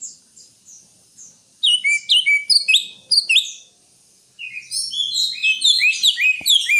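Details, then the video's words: Greater green leafbird song in two bursts: first a series of crisp, downslurred whistled notes in quick succession, then after a short silence a fast, rich twittering run of bright chirps, with one click. "Suara burung Cucak Hijau"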